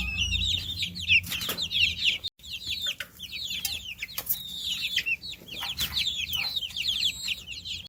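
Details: Baby chicks in a group, continuous high-pitched peeping from many birds at once, short rising and falling chirps packed together, with occasional knocks and low background noise.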